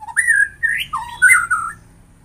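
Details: White-rumped shama singing a short phrase of clear, loud whistled notes, some rising and some falling, in quick succession, with a quiet background.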